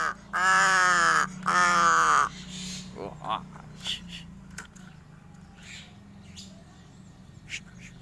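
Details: Odd crow calls: two long, loud, hoarse, strained calls back to back, each lasting nearly a second, followed by quieter clicks, faint chirps, and background noise.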